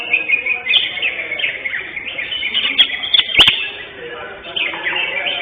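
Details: Greater green leafbird that won first place in a songbird contest on 11 October 2025; rapid high chattering song of short slurred whistles and trills, running almost without pause, with a loud click and faint speech in the background.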